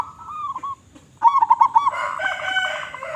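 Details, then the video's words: Local zebra dove in full voice: a few soft coos and a short gap, then a loud burst of quick stuttering notes. A droning, buzzy overlapping tone follows to the end. "Perkutut Lokal Gacor Suara Besar"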